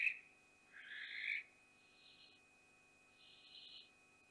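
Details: Wild barn owl family at Théding, France, 14 June 2021, at the first flight from the nest: a short rasp followed by a longer hoarse screech, then two fainter, breathy hisses spaced over the next few seconds, with constant electrical hum.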